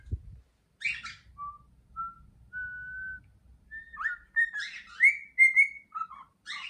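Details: Pet male cockatiel singing energetically indoors, opening with a brief harsh chirp, then a series of pure, level whistled notes stepping slightly upward, followed by quicker rising and falling whistles mixed with short raspy bursts.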